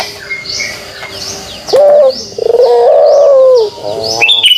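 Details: Pelung dove kugeruk call heard after a quiet opening: a short rising coo, then a rolling pulsed note sliding into a long sustained coo. Faint high chirps from other birds throughout.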